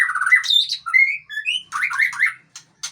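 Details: Aceh long-tailed white-rumped shama giving a short burst of song: a few pure whistled notes and a rapid trilled phrase, then two brief raspy notes.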